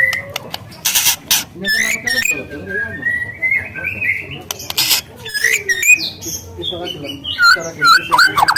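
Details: Wild spotted-plumage white-rumped shama with canary-like phrases: sharp chips, drawn-out whistles sliding up and down, and twisting warbles toward the end, a faint hum behind.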